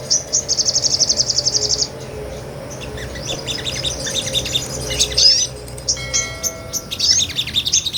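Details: Sunbird ngobra song used to tutor songbirds: opens with a fast, evenly pulsed high trill of about a dozen notes, followed by scattered thin chirps and sharp upslurred whistles, with a brief steady electronic tone midway.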